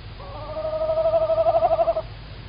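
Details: Close female tawny owl in Estonia, March 2019 evening, live camera: one sustained nasal call lasting nearly two seconds, steady in pitch and trembling with quick pulses that grow louder toward the end.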